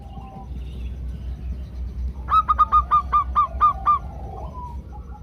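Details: Female zebra dove calling to a male, used as a lure to prompt males to sing. Eight quick, evenly spaced, clear nasal notes at one steady pitch follow a quiet start, over a low rumble of background noise.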